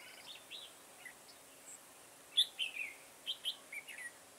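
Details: A red-whiskered bulbul sings in a garden during trapping on 9/10/2017. Soft distant whistles at first, then loud, sharp, slurred whistled notes in quick groups in the second half.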